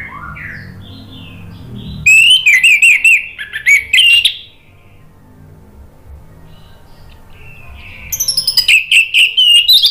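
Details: Orange-headed thrush in lively song, played to trigger a silent bird into answering: two long bursts of fast, trilling high warbles broken by a quiet stretch, with a softer rising whistle at the start.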